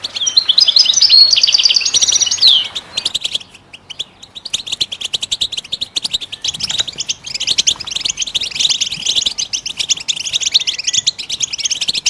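A goldfinch sings a fast, tinkling run of high twittering notes and liquid trills, with brief buzzy phrases, continuing almost without pause.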